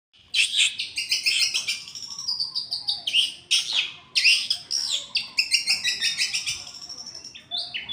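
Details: Long-tailed shrike singing a loud, dense, fast medley. High chattering and scratchy notes run together almost without pause, with a brief break partway through.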